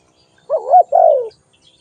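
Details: One two-part coo from a spotted dove: a wavy, bending first note and then a longer smooth note that drifts downward, in a quiet setting with only faint chirps.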